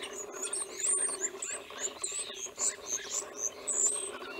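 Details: Several wild European bee-eaters in Romania, 2016, give short, high, rolling chirps in quick succession, overlapping one another, over a steady low hum.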